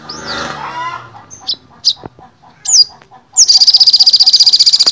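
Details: Olive-backed sunbird, known in Indonesia as sogon or sogok ontong: a few sharp, high chirps separated by pauses, then a fast, even, high-pitched rattling trill at the end, with a lower harmonic sound at the start.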